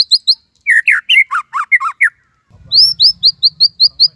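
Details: White-rumped shama's Cililin-style master song: a few high chirps, a run of strong slurred whistles, then a steady string of high rising notes repeated several times a second over faint low hum.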